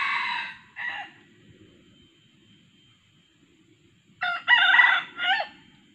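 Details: Decoy male and female calls luring wild red junglefowl: a short broken crow opens, then a long quiet gap, then a loud stuttering crow in several harsh segments; faint low rustling underneath.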